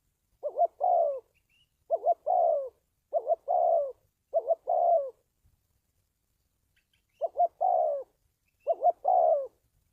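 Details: Lure call of a spotted dove for decoy training and trapping: six mellow phrases of a quick two-note lift then a sliding downward coo, four in quick succession, a pause of about two seconds, then two more.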